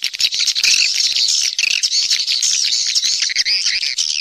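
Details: Swiftlets from nature giving the roosting (inap) call, used to attract birds to roost: unbroken, shrill, buzzy twittering from a crowd of birds, with chirps overlapping and wavering up and down.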